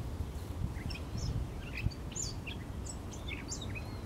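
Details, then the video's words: Gray catbird singing a rambling string of short, varied squeaky and chattering notes, fairly faint over a steady low rumble of background noise. "GRAY CATBIRD SINGING"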